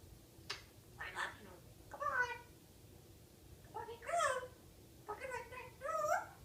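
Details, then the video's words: Pet African grey parrot indoors, talking, burping and singing a kids' song: several short bursts of hoarse, speech-like, harmonic phrases separated by pauses of about a second, in a small quiet room. "Hilarious African Grey parrot singing "the wheels on the bus go round and round..."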